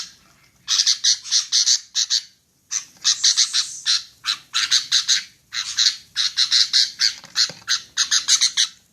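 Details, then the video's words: Female sooty-headed bulbul uttering bursts of scratchy, rapid chips in four clustered bouts separated by brief pauses; clean background. "SUARA KUTILANG Betina"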